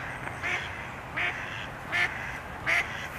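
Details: Mallards on the water quack loudly at a coyote that is hunting them. Four harsh, nasal quacks are evenly spaced roughly every three-quarters of a second over a steady hiss of background noise.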